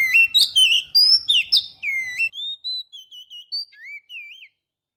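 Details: Oriental magpie-robin lure song recorded with a GoPro Hero: loud burst of slurred whistles and sharp chirps, easing into softer, thinner drawn-out whistles and a closing wavering phrase.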